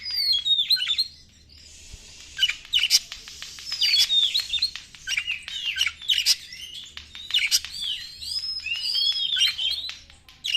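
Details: Oriental magpie-robin lure song to rouse other magpie-robins: sharp clicking and rasping notes mixed with looping whistled phrases in irregular bursts, about one phrase group every few seconds.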